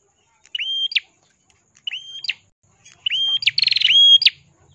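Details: Ashy tailorbird delivering crystal-clear song for tutoring songbirds: rising whistles with sharp high endings, the last phrase running into a rapid buzzy trill.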